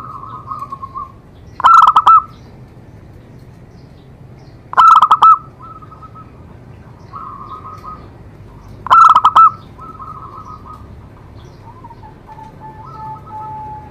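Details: Zebra dove song played to stimulate other doves to sing: three loud bursts of rapid, clipped cooing notes, each a quick stuttering run of four or five beats. Softer, level cooing phrases from other doves fill the gaps.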